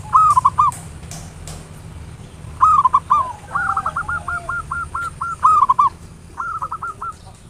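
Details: Local zebra dove lure song, ngayer nulop style, for stimulating singing: repeated rapid runs of clipped mid-pitched coos, one long phrase of about ten even notes, others shorter, over a low background rumble with occasional clicks.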